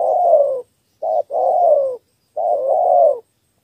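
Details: Spotted dove in the three-note thổ cooing style, a call used to lure wild doves. Deep husky coos arrive as a short clipped note followed by a drawn-out, gently falling one, with quiet gaps between pairs.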